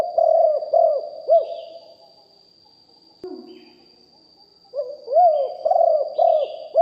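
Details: Live recording of a caged spotted dove used as a decoy to call in wild doves, 'big voice' style: low, rounded coos in runs of three or four notes, a gap of about three seconds with a soft thud, then more cooing.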